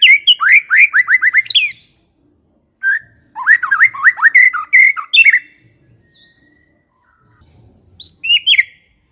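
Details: White-rumped shama singing to lure other shamas: a quick run of repeated sharp whistles, pauses, then bursts of varied slurred whistles and chips, with a final short phrase near the end.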